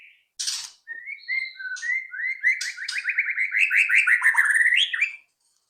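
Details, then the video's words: White-rumped shama lure song for prompting shamas to sing. A high burst and a few whistles lead into a long, accelerating series of rapid repeated whistled notes that ends in a sharp upward flourish. "pancingan AMPUH murai batu agar cepat bunyi"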